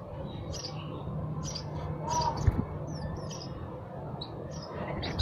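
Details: Sparrow chirping, scattered and fairly faint: a few short high chirps spaced irregularly, with a low steady hum and a soft thump underneath.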